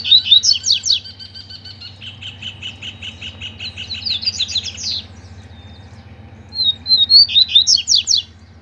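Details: Double-collared seedeaters, captive males singing in competition with a loose free-living male: fast, buzzy, warbled phrases of rapid high notes, repeated three times with short pauses and a thin whistled note between phrases.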